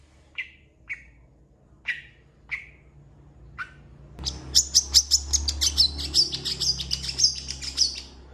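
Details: Long-tailed shrike, used to train competition birds, its song said to include cat and chicken imitations; five spaced, buzzy chirps, then a fast, dense chatter of high, sharp notes over a low background hum.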